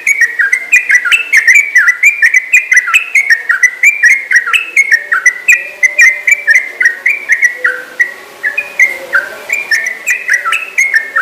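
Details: Lively yellow-vented bulbul (trucukan) delivering a long ropel: an unbroken stream of clear, bubbling whistled phrases that jump up and down in pitch, several notes per second, kept up for over eleven seconds.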